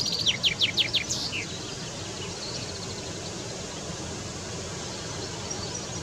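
A male chaffinch gives a quick run of five sharp, high, downslurred notes ending in a brief flourish, then steady background hiss fills the rest.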